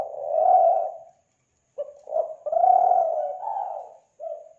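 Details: Kelantan spotted dove used as a lure: one long low coo, a pause, then a quick stuttered pair of notes running into a drawn, wavering coo and a short final note.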